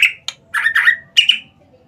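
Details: Short burst from a white-rumped shama lure recording, meant to prompt other shamas to sing: harsh slurred notes and squeaky whistles in quick succession.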